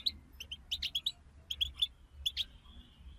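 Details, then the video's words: Goldfinch group twittering intended to stimulate singing; clipped, high, liquid chirps in uneven little runs of three or four notes, spread over a soft background hiss. "أخرج حسونك من صمته واكتشف التغاريد المخفية لديه.. بتبتة رهيييبة وتحفيز خراااافي"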